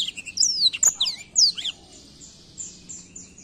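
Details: A short, rapid phrase of high whistled and chirped notes from a black-throat, fading after about a second and a half into faint, thin distant-sounding notes; low background hum.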